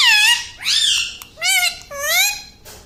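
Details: Ringneck parrot kept as a pet, speaking three or four drawn-out voiced syllables with gliding, rising-and-falling pitch, clear and loud in a room.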